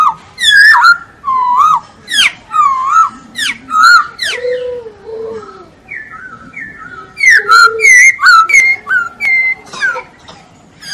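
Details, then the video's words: Masked laughingthrush, locally called poksay hongkong, singing energetically: a long run of loud, varied whistled phrases with looping and rising notes, interspersed with lower mellow notes, then a rapid burst of sharp whistles near the end. "Masteran ampuh untuk POHO "Poksay Hongkong""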